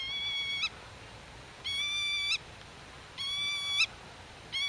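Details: Black-tailed godwit calling to chicks hidden in the grass and defending its nest territory against intruders: long nasal, steady calls lasting under a second each, ending in an abrupt upturned flick, repeated about every one and a half seconds.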